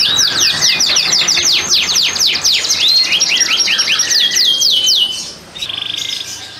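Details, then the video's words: Canary in breeding condition kept in a Klaten breeding aviary, singing to rouse hens: a rapid string of high descending sweeps about four per second, shifting into rolling trills, then fading to softer chatter near the end. "Kenari BUNYI BIRAHI Ngerek"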